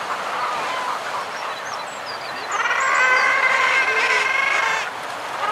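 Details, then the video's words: Common guillemots in a group on breeding ledges, with fulmar and kittiwakes around. A busy murmur of calls swells into a loud, layered burst of harsh droning calls midway, then fades back, with scattered high chirps above. "Guillemot. MD Calls From A Group On Their Breeding Ledges"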